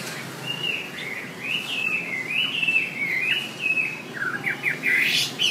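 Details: Trilling shrike-babbler (Pteruthius aenobarbus) song used as a master recording for songbirds: continuous, fast twittering of chattering, slurred notes at a high, even pitch, without pause, over a faint background hiss.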